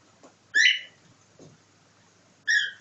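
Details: Two clear, bright whistled chirps from a cockatiel mimicking a nightingale, about two seconds apart, over a low background hiss with faint knocks.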